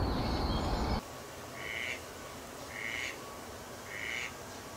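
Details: Mallard, male and female calls: after a second of loud rumbling noise, three short, nasal, evenly spaced notes about once a second against a quiet background.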